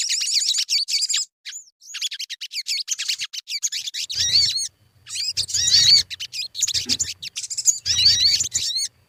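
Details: Sogon lure song to prompt birds to sing: bursts of rapid high chips and short curling whistles, separated by brief silences, with low thumping in places.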